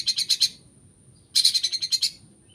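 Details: Long-tailed shrike singing a song that mimics other birds: two rapid bursts of five to eight bright, scratchy chirps, separated by a short pause, with a thin steady high tone in the background.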